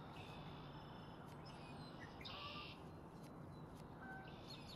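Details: A male red-winged blackbird calling early on a cold, frosty morning at Kristina Kiss Park, Kanata, gives thin high whistles, then a short buzzy trill midway, all faint over a steady low rumble.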